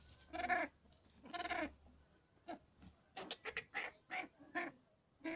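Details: Cabot's tragopan bleating in a ragged series: two longer nasal bleats, then about eight short bleats at roughly one per second, each a harsh goat-like burst.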